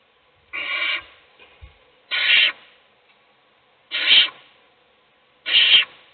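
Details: Female owl feeding a chick in its nest box as the other young sleep; four harsh hissed screeches at fairly even intervals of about one and a half seconds, small taps of movement in between.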